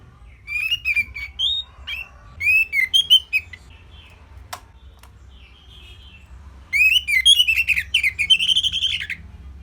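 Orange-headed thrush singing in short bursts of sweet, varied whistled phrases, rich and warbling, separated by brief pauses, ending in a louder, fuller run.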